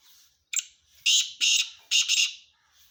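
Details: Male black francolin (kala teetar) calling: a short grating note, then two longer harsh rasping notes and a final doubled, scratchy note, delivered in about one and a half seconds against a quiet background.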